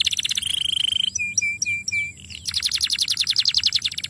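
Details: Young canary singing a lure for long rolls, with a steady trill, short clear whistled notes, then a long fast buzzy roll of rapidly repeated notes.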